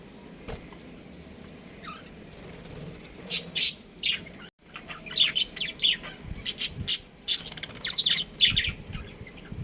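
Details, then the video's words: Pet budgerigars, a breeding pair at home: quiet at first, then a run of loud, sharp, high chirps and squeaky warbling notes in quick irregular bursts after a brief pause. "Cute Budgies Chirping Sounds | Budgies Breeding Pair"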